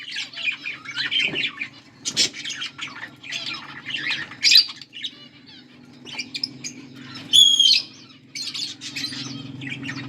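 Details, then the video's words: Chirping from a pair of pet budgerigars: uneven clusters of scratchy squawks and twittering notes, a sharp loud squawk near the middle, over a constant low droning hum. "My Beautiful Australian parrots pair 💛💙Budgies full masti"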